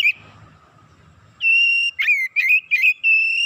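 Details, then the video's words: Excited Oriental magpie-robin giving long, steady, high whistled notes, some held flat and others broken by quick upward flicks, in fast succession after a short quiet spell. "KACER NAIK EMOSI BONGKAR ISIAN"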